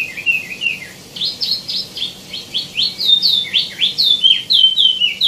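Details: Energetic song of a tieumi (wambi mini): rapid, sharp whistled notes, many sweeping downward, delivered in a busy stream of about four notes per second.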